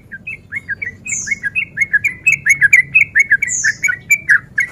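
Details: Male sooty-headed bulbul in breeding condition, singing as a lure to make rival males agitated: continuous lively chatter of short warbled notes about four per second, with two high, thin downslurred whistles above.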